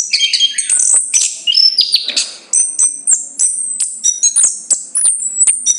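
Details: A chestnut-capped thrush delivers quick, very high twittering phrases with thin whistles and sharp clicks, bursts spaced under a second apart, over a low steady background hum.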